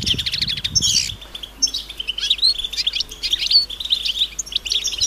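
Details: European goldfinches calling together, mating calls to encourage males to sing: rapid tinkling twitters and sharp upslurred notes, a low rumble fading out after the first second.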